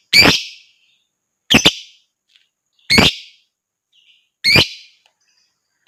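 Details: Lovebird giving sharp, raspy high calls to stir other birds into song, four strident notes spaced roughly one and a half seconds apart with silence between.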